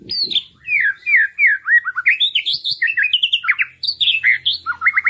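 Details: White-rumped shama song played to stimulate other birds to sing: a loud, continuous run of varied slurred whistles and chattering notes that rise and fall, ending in quick repeated notes, close and clear.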